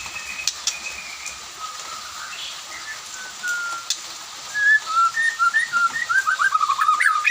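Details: White-rumped shama singing in the afternoon, others answering; soft drawn-out whistles at first, then a quickening string of short slurred notes that grows louder toward the end.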